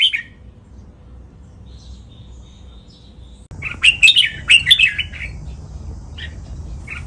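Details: After a single note and a long near-silent stretch, a red-whiskered bulbul delivers a burst of lively warbled syllables. It is Pa La-u style master song, used so caged birds copy it.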